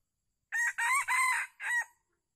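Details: Loud four-part crow of a red junglefowl, recorded while luring a wild bird with a captive decoy in Calang, Aceh Jaya, on 12 February 2020. Three rasping syllables run together, then a final clipped note, with near silence around them.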